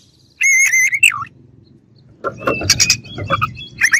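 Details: Oriental magpie-robin, sung to provoke rival birds: a long, pure, level whistle ending in a falling slur, then a jumble of louder harsh chattering notes with low rumbling background noise.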